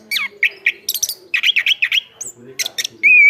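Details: Chestnut-capped thrush song made of harsh, slurred mid-pitched notes in quick succession, a few high squeaks, and a final long, clear whistle that holds steady.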